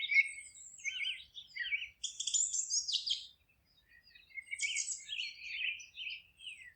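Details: Birds singing in woodland: a varied chorus of chirps and warbles with two dense buzzy high-pitched bursts, with a faint low rumble underneath.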